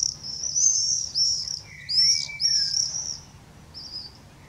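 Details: Common swifts calling under a roof gutter on 31 May 2020: shrill, buzzy high screams in bursts of about half a second to a second, repeated several times, with one lower drawn-out whistle from another bird midway.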